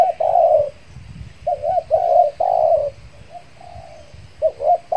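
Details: Spotted dove used as a decoy for wild doves in Kepri after moulting; a drawn-out coo, then a cluster of short wavering coos and a softer trailing note, ending with two quick hooked notes.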